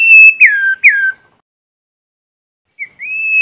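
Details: White-rumped shama in forest, singing as a lure to stimulate young birds, without background noise: loud clear whistled notes that slide downward, two similar phrases, a pause, then a rising, steady whistle; nothing else heard.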